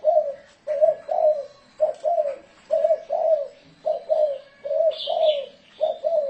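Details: Spotted dove used as a lure bird, cooing in the thổ rền style: a steady run of paired low mellow coos, short then drawn-out, about one pair every second, with a faint high chirp from another bird.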